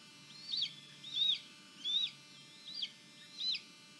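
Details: Red-tailed hawk in Tennessee, near a leucistic adult delivering a bird to a chick that feeds itself, in June, gives five thin, high, slurred whistles, each rising then dropping, about every three-quarters of a second over a quiet background.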